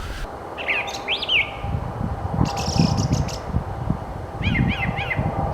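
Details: Brown thrasher singing in spring at a nature center in Minnesota or Wisconsin: loud, varied, colorful phrases. Each is a short chirpy burst, and one rapid phrase is repeated three times near the end. Steady low rumbling noise runs underneath.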